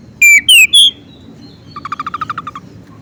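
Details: Ciblek gunung, the bar-winged prinia, mixed with oriental magpie-robin song to provoke other birds: three loud, sharply falling whistled notes, then a quick even run of about ten soft chips.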